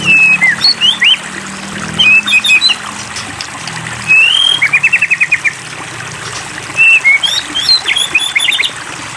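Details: Song of a white-rumped shama being provoked to sing, with sliding whistles, a quick rising trill series and sharp high chirps in short bursts, set against constant rushing water noise.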